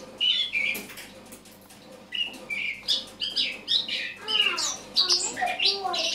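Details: Autumn song of a Eurasian blackcap recorded the morning of 1 October 2017: subdued chattering notes giving way to louder varied warbles, sweeping whistles and squeaky high phrases.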